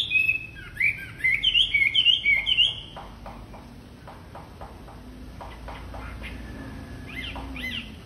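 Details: Lure song of a constantly singing wambi bird for training young wambi: about three seconds of quick, high, twisting whistled phrases, then a run of soft dry clicks and a few faint notes near the end.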